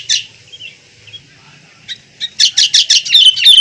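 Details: Sooty-headed bulbul starts with scattered soft notes, then delivers a quick series of loud, evenly spaced chirps running into a trilled flourish.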